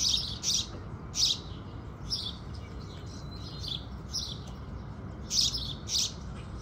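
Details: Sunrise chirping of house sparrows, delivered in short bursts of doubled notes separated by brief pauses, with faint twitters between.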